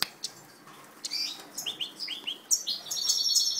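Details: European goldfinch, captive-bred, delivering a series of rising upslurred chirps that lead into a loud, high tinkling trill near the end.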